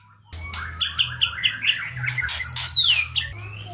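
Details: Brief White-rumped shama song for stimulating lazy shamas: a row of short repeated whistled notes, then a high buzzy phrase sliding down into a clear falling whistle, with a constant low hum.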